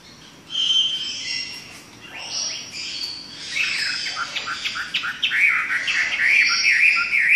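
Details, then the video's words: A Chinese hwamei (Garrulax canorus), a southern Chinese bird whose males sing and mimic other birds, sings a loud, varied run of rich whistles and rapid chattering phrases that rise and fall without pause. "Burung Hwamei Super (Wambi Gacor 55)"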